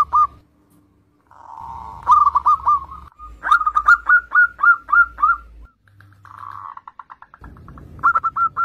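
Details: Zebra dove song in bursts: soft purring trills leading into quick, rising-falling cooing notes, repeated in rapid runs separated by brief quiet spells, with a low hum at times.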